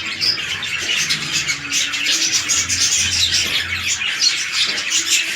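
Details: Red-eyed lutino budgies paired for breeding in captivity; constant high raspy chatter and squawks, dense and unbroken, with a faint low droning hum in the middle.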